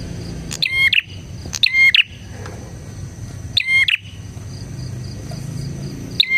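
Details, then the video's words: Energetic bar-winged prinia, a recording used to tutor and attract prinias: three strident two-part chirped phrases in quick succession, a pause, then one more beginning, over a soft constant high hum. "suara burung PRENJAK GACOR"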